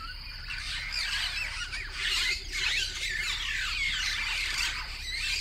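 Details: Southern African starlings chatter without pause, a dense jumble of squeaky, whistled and grating notes from several birds overlapping, with a faint low hum beneath.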